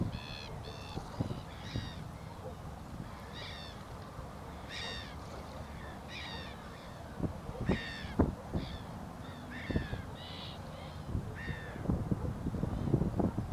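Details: Southern giant petrel recorded during monitoring on 6 September 2021 at the Río Gallegos estuary, Santa Cruz, Patagonia, Argentina: a series of harsh, stacked, croaking notes repeated irregularly over steady low rumbling noise and occasional clicks and knocks.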